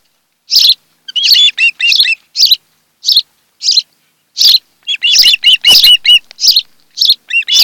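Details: Osprey couple at the nest, Kent Island, Maryland, July 2018 afternoon, recorded by nest cam: spaced shrill chirps broken by two bursts of rapid, ringing, arched whistles.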